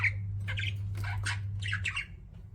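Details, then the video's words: Pet budgerigars indoors make a few short, raspy chirps and squawky notes in small bursts, partly masked by a strong low humming noise. "CUTE PET BUDGIES CHIRPING"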